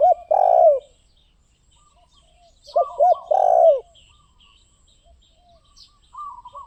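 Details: Spotted dove singing: two loud phrases about three seconds apart, each of short rising notes running into a long, rough, falling coo. Quieter coos from other doves sound between them.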